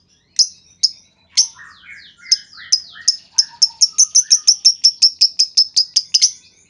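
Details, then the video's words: Lovebird calling to get other lovebirds to answer: scattered high notes with lower slurred whistles, building into a fast even series of piercing chirps, about three per second. "Pancingan Burung Lovebird Ngetik Bikin Lovebird Lain Ngekek Panjang!"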